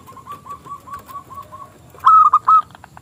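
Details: Zebra dove of local type, with a small crystal voice and used to lure rival doves into singing, gives soft evenly spaced coos that end in a loud, ringing, stuttered phrase.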